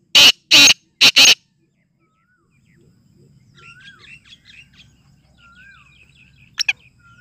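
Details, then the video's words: Excited black francolin, in full condition, gives three loud harsh rasping bursts in quick succession. Quieter background birds then chirp and whistle softly over a low hum. "kala teetar ki awaz kala teetar ki masti ki awaz full mast kala teetar"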